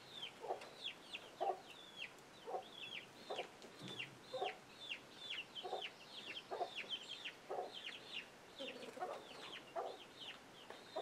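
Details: Young chicks with an adult chicken that gives alert sounds; rapid, overlapping descending peeps from many chicks and brief low clucks about once a second.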